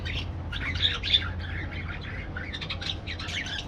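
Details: Aviary parakeets in continuous busy twittering and squawky chatter, many quick notes overlapping throughout, with a low background hum.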